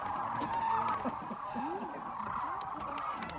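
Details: Massed sandhill cranes at Whitewater Draw, Arizona, January 2019, flying in around midday after morning foraging: a thick wall of rolling, overlapping calls from many birds, with scattered lower calls close by.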